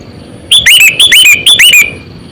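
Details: Sooty-headed bulbul, a seasoned lure bird aged around 8 to 9 years used to attract other bulbuls, giving a lively burst of five rapid, liquid, bubbling notes in quick succession, loud and slightly distorted.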